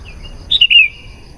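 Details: Sooty-headed bulbul singing, a sound used to attract wild bulbuls: one brief phrase of a few clear notes sliding downward, ending in a longer drawn-out whistle, over faint steady background noise.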